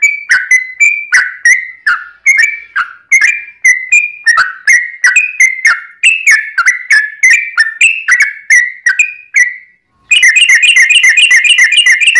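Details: Energetic yellow-vented bulbul singing a long rapid song meant to provoke other bulbuls into replying; bubbling whistled notes repeat steadily and rise and fall, then after a brief pause a faster, denser chattering trill follows.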